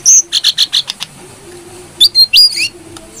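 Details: Tutor recording of a brown-throated sunbird used to lure and train birds: a thin high note, a quick row of buzzy chips, a pause, then several shrill whistled slides stepping up and down.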